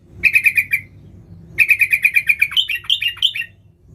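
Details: Nggaruda-style sooty-headed bulbul singing energetically to lure wild bulbuls: rapid, evenly spaced identical chirps in two bursts, the second ending in higher, falling slurred whistles.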